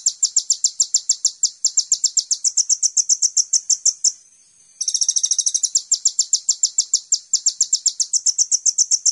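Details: Training and lure recording of a sunbird (kolibri ninja): a nearly continuous rapid stream of shrill, high chirps, about four per second, broken once by a brief pause near the middle.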